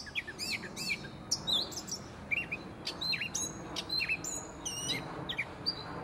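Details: Gray catbird singing its erratic song from a tree in Prospect Park, Brooklyn: a jumbled run of varied squeaky, whistled and scratchy notes, many sharply rising or falling, with steady low city hum underneath.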